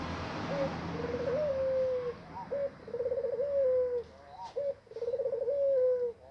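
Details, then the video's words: Spotted dove preparing to lay eggs, repeating its deep coo three times: each a brief lead-in note and a long, pulsing, tremulous phrase ending on a level tone. Light background hiss and a couple of soft taps. "Burung tekukur puter mau bertelur"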